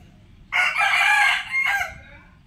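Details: Black Buff Orpington rooster crowing: a loud, harsh, rich drawn-out cry of about a second, followed by a shorter fading final note, over low background rumble.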